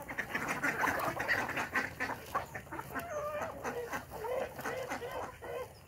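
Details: Village desi chickens on a farm with naturally hatched chicks in the morning: overlapping soft clucks and short warbling notes, backed by a steady patter of sharp clicks and knocks.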